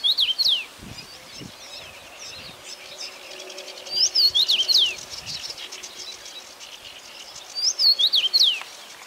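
Common rosefinch singing short, clear whistled phrases of slurred falling notes, repeated about every four seconds over a faint low rumble.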